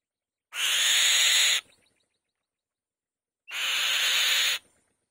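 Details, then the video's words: A female white-tailed kite calls loudly from her nest: two harsh, breathy screeches about a second long, each starting with a faint upward whistle, separated by nearly two seconds of quiet. "White-Tailed Kite | The Female Bird Makes a Loud Noise On The Nest"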